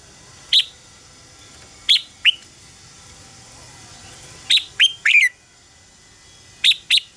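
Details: Contest singing of a red-whiskered bulbul, used as decoy sound to train birds: sharp, high whistled notes in pairs and small groups with pauses of a second or more between them. Steady faint hiss in the background.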